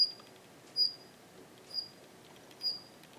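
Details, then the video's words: Daurian redstart in a garden, holding territory alongside a Japanese wagtail, gives thin, high, brief whistled notes repeated about every second over faint hiss; two call types are heard, including one unusual for this bird. "ジョウビタキの鳴き声 ２種類の声が聞こえます"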